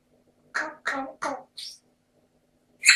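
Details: Captive grey parrot at breakfast, indoors, makes four short, raspy, chattering squawks in quick succession, each about a third of a second apart. A sharper high squeal cuts in at the end.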